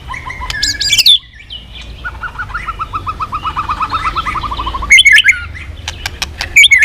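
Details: White-rumped shama song: loud whistled notes and slurs, then a long run of about twenty quick, even, clipped notes at a steady pitch, ending in bright high twisting whistles.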